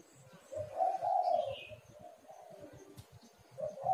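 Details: Spotted dove cooing, meant to lure other doves into calling: soft low hooted notes rising and fading over a steady rumbling background, with a faint high chirp from another bird.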